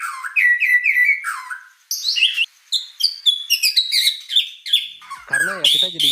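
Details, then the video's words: A highly vocal white-rumped shama delivers a long, varied song of repeated whistles, high sliding notes and rapid chattering phrases, with a brief spoken voice near the end. "Suara Burung Murai Batu Gacor"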